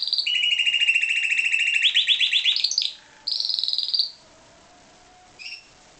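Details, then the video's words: Pied Timbrado canary, bred in captivity, delivering a long fast rolling trill that climbs in steps, breaks off, then resumes with a shorter higher trill and a final short note after a silence. "Timbrado canary"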